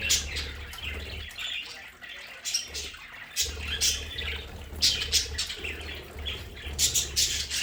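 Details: Home-kept budgerigars in their play area keep up a busy stream of sharp high chirps and squeaks coming in clusters, over a steady low hum with brief quieter gaps.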